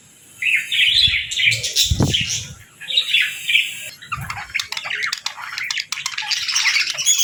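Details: Evening chatter of kept budgerigars during feeding time with seeds and millet. Rapid squeaky warbling and chirps, with sharp clicking and tapping sounds and a few thumps mixed into the steady chorus.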